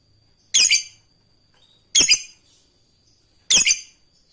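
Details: Fighter lovebird calling an opponent gives three harsh, high, noisy squawks about one and a half seconds apart. The calls serve as training material for other lovebirds, and the background is quiet.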